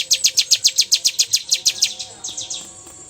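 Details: Bar-winged prinia singing 'bocor' style, a rapid series of sharp high chirps, about fourteen in under two seconds, then fading and softer notes trailing off.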